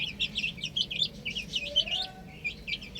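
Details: Baby chickens on a rooftop cheep rapidly in dense high bursts, calls tumbling over one another, with a faint low drone beneath.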